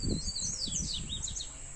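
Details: In the afternoon, a free-flying wild double-collared seedeater arrives and sings against a kept bird. Both give high, sweeping, twittering phrases at the same time, overlapping in quick succession, over a low background rumble.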